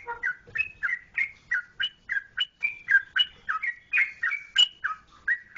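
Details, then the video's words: Sooty-headed bulbul of Yogyakarta, Indonesia: a steady stream of crisp, gurgling notes, each a quick slur, repeated roughly three times a second, with a low hollow note at the start. "Trucukan Jogjakarta"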